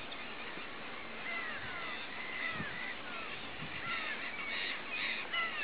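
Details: Mediterranean gulls, including a ringed bird (white ring E117), on 14 May 2010 give many overlapping nasal mewing calls that rise then fall, about two a second, like a busy colony chorus.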